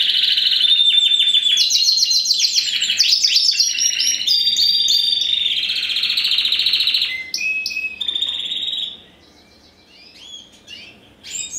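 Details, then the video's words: A first-generation Spanish Timbrado × wild canary hybrid, bred in 2015 and ringed ST16, pours out dense, bright rolling trills with a whistled note, shifts between tour phrases, then fades to soft, scattered high notes. "Timbrado Español x Serinus Canaria"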